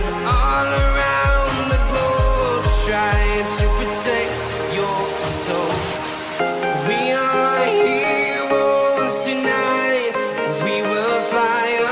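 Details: Pop music with singing plays throughout, with no animal sound.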